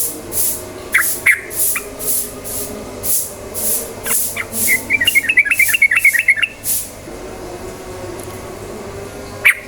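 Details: Yellow-vented bulbul lure song in the quick ropel manner to get birds singing: a few isolated notes, then a fast two-second string of chattering notes, over a regular pulsing hiss.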